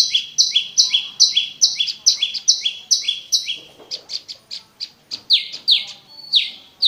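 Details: Prenjak lumut prinia singing, a recording meant to lure caged birds: fast regular pairs of high buzzy and lower slurred chirps, then looser, scattered sharp notes and downslurs toward the end.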